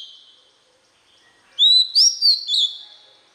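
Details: Oriental magpie-robin song played for training young birds to learn the voice: after a pause, a short phrase of four clear, high whistled notes, rising and slurred, with a faint sustained tone beforehand.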